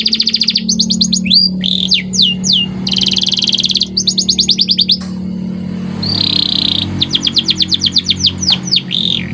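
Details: Training song of a white canary: bursts of rapid repeated chirps alternate with swooping whistles and a sustained buzzy rattle, with short pauses between phrases and a steady low hum in the background throughout.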